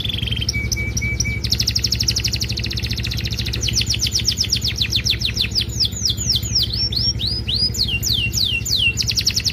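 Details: Canary in full, lively song in a luxurious song style, recorded for training other canaries. Fast buzzy trills and rapidly repeated rising and falling whistled sweeps run throughout, over a steady low hum.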